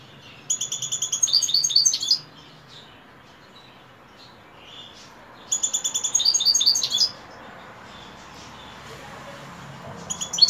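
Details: A European goldfinch sings in the evening, two long bursts of quick, bright twittering notes separated by about three seconds of quiet, and a brief start of a third.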